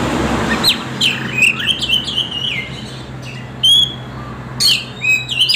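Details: Oriental magpie-robin (kacer) lure song, used to make reluctant birds sing: loud whistled phrases sliding around mid-high pitch, separated by sharp upward sweeps and bright high notes, over a steady low hum.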